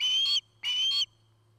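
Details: Osprey at a nest in Charlo, Montana, on a nest camera, 9 August 2018: two drawn-out whistled calls, each about 0.4 seconds and level in pitch, separated by a brief gap, over a constant low hum.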